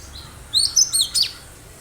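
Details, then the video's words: Wild cinereous tit calling busily, kept as a lure to get other birds responding; one quick run of four piercing, high chirps and upswept whistled notes in under a second. "Gelatik batu gacor suara asli liaran"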